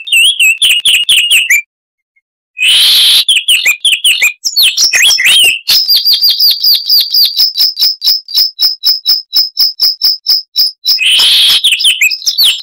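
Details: A Chestnut-vented warbler from southern African scrub sings loudly and clearly: rapid chattering whistles, a short silence, a rich jumbled burst, then a long, even series of ringing notes repeated several times per second.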